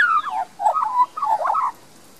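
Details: Young Australian magpie singing in a garden in Queensland, Australia, recorded with a compact camera: a downward-sliding fluted note, then two quick warbled phrases with wavering, bubbling tones.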